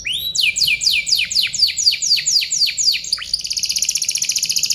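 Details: Canary song meant as a tutor recording for other birds: a series of about a dozen steep downward-sweeping whistles, roughly four per second, breaking into a fast buzzy rattle near the end.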